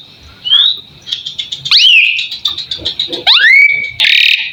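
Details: Asian pied starling song, a bird used as a master tutor for other songbirds: rising whistled slurs, a dense run of rapid buzzy notes, then bright swooping whistles and a harsh grating burst at the end.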